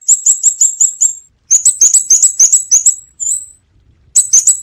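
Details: Scarlet-backed flowerpecker calling, recorded with background noise removed: rapid bursts of sharp, very high, clipped ticking notes, five to nine per burst, separated by brief pauses, with a single drawn-out thin note between bursts; otherwise silent.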